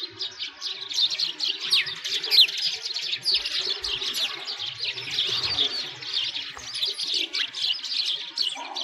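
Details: Sparrows in Bratislavsky Park, Moscow, at a frozen lake in winter, giving a loud, unbroken chorus of shrill, rapid chirps throughout.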